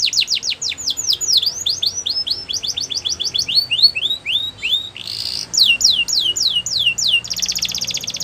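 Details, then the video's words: Gloster canary song made of quick repeated downward-sweeping whistles in changing tours, a brief noisy burst midway, and a closing fast buzzy trill. "Gloster Canary Singing | Canary Bird Sounds"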